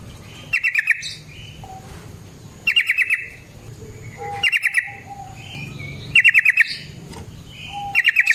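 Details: Yellow-vented bulbul in lively fighting song, used as a lure for other bulbuls: rattling trill bursts repeated about every two seconds, alternating with softer whistled notes and chirps.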